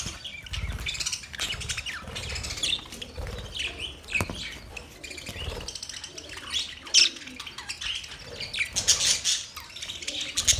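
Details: Budgies, Australian parrots, calling during mating: continuous twittering and scratchy warbles, loudest in short bursts toward the end, with soft fluttering now and then beneath the chirps.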